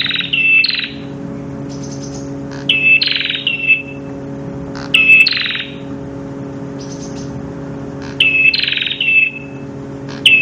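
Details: Red-headed prenjak song, a crystal-clear master recording for tutoring songbirds: short phrases of sharp chips dropping into a bright trilled whistle, repeated about every three seconds, over a steady low electrical hum.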